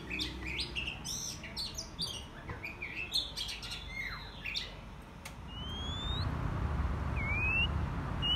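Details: Oriental magpie-robin during taming: dense bursts of sharp chirps and quick downslurred notes for five seconds, followed by two longer rising whistles, over a growing low rumbling background.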